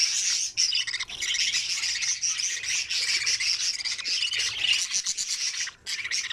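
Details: Budgerigar nestlings feeding in an opened nest keep up a steady, scratchy, high churring of begging calls, dropping briefly quiet near the end.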